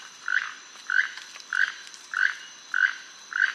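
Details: Keel-billed Toucan, the second-largest toucan in Costa Rica, common in Caribbean lowlands: a frog-like croak repeated steadily about every half second, six dry grating notes, with faint steady background hum.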